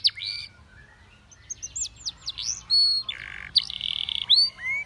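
A Spanish Timbrado canary sings a fast, varied run of high whistled swoops and buzzy metallic rolls, one phrase after another.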